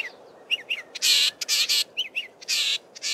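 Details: Male Southern fiscal singing in Belmont Valley, Eastern Cape, weaving mimicry of local birds into its song: short rising whistled notes alternate with loud, broad buzzy bursts, giving a varied, fast-changing phrase over a quiet background.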